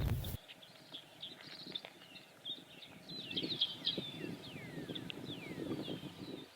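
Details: Several Dickcissels sing at once, distant, at Midewin National Tallgrass Prairie in northern Illinois on an overcast day: sharp chips and quick falling notes, with grasshopper sparrows singing too, plus low rumbling footsteps and wind.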